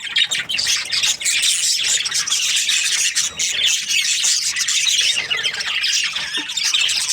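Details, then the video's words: An aviary of budgerigar breeding pairs, the Australian parrot, keeps up dense, high-pitched chirping and raspy squawks from many birds together, steady throughout. "Budgies parrot chirping sounds | Australian parrot breeding pairs"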